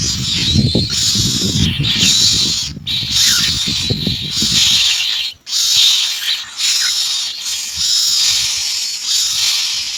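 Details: Common myna gathering insects to feed its young: a run of harsh, rasping hiss-like bursts, roughly one per second with short gaps, over low rumbling background noise that stops halfway through.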